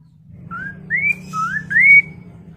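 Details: Chinese hwamei song, used to prompt other hwameis to answer and sing: four clear whistled phrases, each rising and slurred upward, given in quick succession over about one and a half seconds, with a low hum behind.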